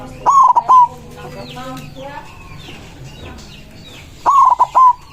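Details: Loud, excited song of a white zebra dove calling out to rivals, two phrases of three rapid, rolling cooing notes each, separated by about four seconds of soft twittering from other birds.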